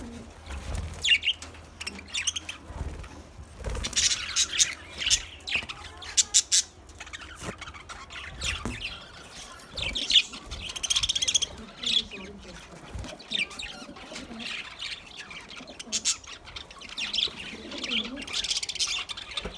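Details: Caged budgerigars chatter in a busy stream of high chirps, squeaks and scratchy warbles.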